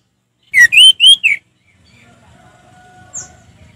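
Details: Orange-headed thrush giving four loud rich whistled notes, looping up and down, in ngeplong style, followed by quieter background hum and a faint high note.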